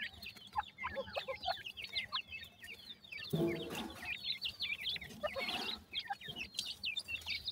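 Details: Baby partridge chicks, displaying an odd teetering gait, peep in a constant high chorus of short slurred notes; a brief rough rustling noise passes midway.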